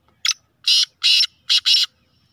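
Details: Kala teetar, the black francolin, called a speeder and chakri wala: a clipped opening note followed by four loud, hoarse, scratchy notes, the final pair nearly joined, with silence around.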